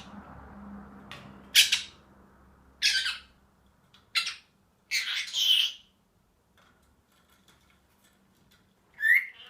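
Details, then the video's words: A happy pet Senegal parrot gives harsh, noisy squawks in spaced bursts every second or so, ending with a higher whistled note. There is a low indoor hum and a faint voice at the start. "senegal parrot happy"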